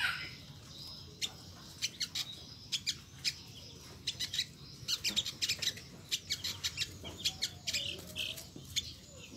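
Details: Sharp, high-pitched chipping from an olive-backed sunbird, the 'nyecret' sound it is known for, delivered in irregular quick clusters that grow denser midway, with a faint distant rooster crow and low ambient hum.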